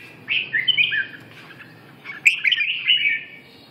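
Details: Red-whiskered bulbul singing two short rolling phrases of warbled, slurred notes separated by a brief pause, against quiet low background noise.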